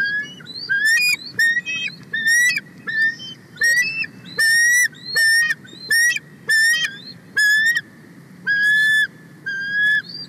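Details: Female bald eagle on her nest, excited after her mate brings a whole fish, calling loudly as a sub-adult eagle flies close on 31 March 2024. Loud, piercing whistled notes with bright overtones come in short bursts of rapid chittering, with pauses between.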